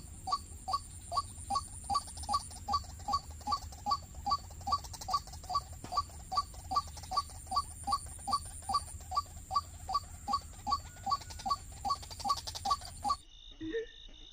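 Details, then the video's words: White-breasted waterhen heard while being lured and trapped with snares: a fast, very even series of clipped notes, about two and a half per second for some thirteen seconds, then an abrupt cut, with a constant high hum behind. "MIKAT BURUNG RUAK RUAK TERBARU"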